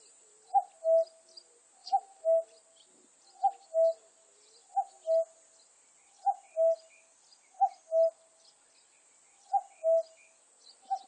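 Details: Common cuckoo giving a long run of about eight two-note calls, each a bright higher note followed by a lower, longer one, spaced roughly one and a half seconds apart. Faint insect-like ticks and steady hiss run behind.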